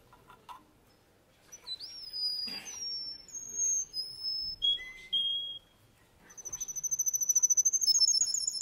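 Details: Russian canary male with scattered high whistles and slurred notes between pauses, ending in a quick, rising run of repeated trilled notes; some faint room noise.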